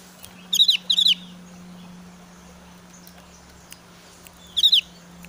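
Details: Javan grey-throated white-eye, aroused in breeding season, calling to challenge an opponent: two quick bursts of high, chattering notes close together, then a third after a pause of several seconds, over a constant low hum.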